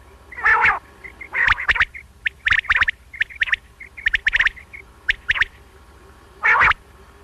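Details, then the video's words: A quail gives harsh, clipped notes in quick bursts about once a second, with short, thin whistled notes between them, a clear call used for night-time quail hunting. "بٹیر کی بہترین صاف آواز"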